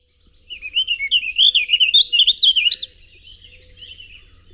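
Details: Warbling vireo (Vireo gilvus) song in spring: a very fast, rambling up-and-down warble of about two and a half seconds, always ending on a punctuated upward note, over a faint background hum.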